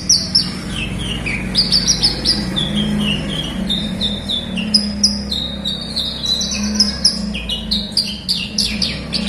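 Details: Song of a Horsfield's bush lark, used to stimulate a quiet captive bird into singing: continuous high chattering phrases with quick downslurred whistles and clicks, over a droning low hum.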